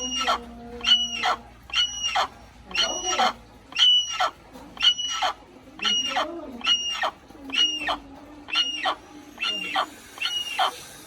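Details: Little hornbill repeating sharp, nasal, honking notes at a regular pace of roughly one per second, with a few fainter low croaking sounds underneath.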